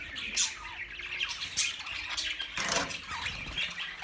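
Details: Budgerigars giving continuous scratchy warbling and chirping, dense and overlapping, with a louder squawky burst near the middle.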